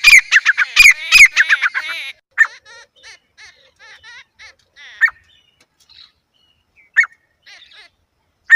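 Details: Grey francolin (teetar) calling: a two-second burst of loud, harsh, rapidly repeated notes, then scattered short single calls separated by brief silences.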